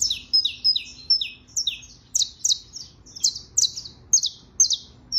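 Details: Saffron finch, known locally as canario criollo, in trilling song: high slurred downward chirps crowded into a lively stream with brief level whistles, steady low hum underneath.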